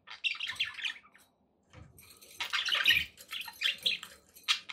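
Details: Domestic budgerigars chatter in scratchy warbling bursts, a brief pause, then louder grating chirps with some low rumbling and splashing-like background noise.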